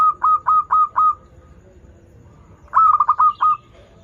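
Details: Local zebra dove singing actively as a teaching lure: five spaced, rounded coos, a lull of over a second, then a fast tumbling run of staccato coo notes.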